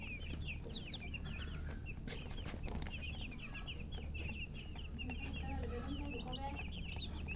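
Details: Poultry chicks thirsty for water, many birds peeping in overlapping high downslurred notes, some rising chirps, steady throughout against a low droning background.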